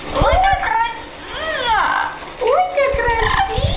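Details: A male yellow-naped amazon kept as a pet in New Jersey sings opera while in the shower, giving arched and swooping tonal notes with rich harmonics in several short phrases, water noise in the room.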